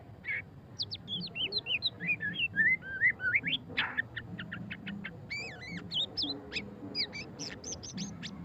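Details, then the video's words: White-rumped shama, a murai batu pastol, singing in the ngeriwik style: a rich run of varied whistled notes, rising and falling slurs and rapid sharp upsweeps, with faint low background hum. "suara kicauan burung murai batu pastol ngeriwik - white-rumped shama"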